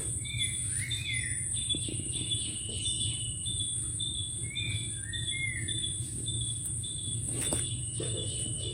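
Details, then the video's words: Birdsong in the Sundarbans forest: scattered whistled notes and short slurred phrases from more than one bird, set against a constant shrill insect tone and low background rumble. "Birds singing in sundarban"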